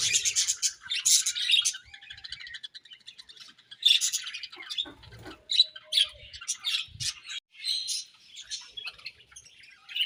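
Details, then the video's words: Budgies chirping and squawking as they eat: scattered sharp chirps, harsh squawks and clicky chatter in irregular bursts, separated by quiet gaps, with a few faint low taps. "Budgies Chirping Sounds While Eating"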